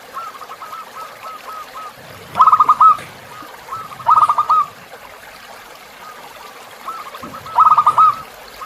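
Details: Tutor song of a zebra dove for captive birds, with river ambience: soft, rippling coo series early on, then three loud phrases of quick staccato notes, each closing with a drawn-out coo.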